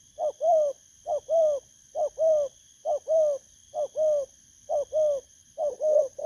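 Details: Caged spotted dove taken recently from the wild, recorded 19 August 2024 in Vietnam. Very regular two-part coos, a clipped note then a longer throaty one, repeat just under once a second, with a thin steady hum in the background.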